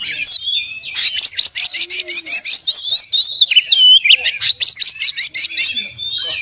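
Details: Oriental magpie-robin singing energetically with beak open, a song full of inserted learned phrases: high whistled slurs, then a rapid run of sharp repeated clicking notes, pauses, and another burst of rattling notes with a bright upslurred whistle.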